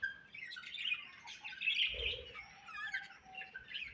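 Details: Budgies giving a run of quick high chirps and squeaks, with brief whistled notes, over faint background rumble.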